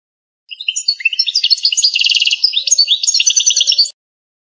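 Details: Algerian goldfinch of authentic stock delivering campero, pipiniere song: a rising string of high tweets builds into a busy, tinkling jumble with a rapid trill in the middle, lasting about three and a half seconds.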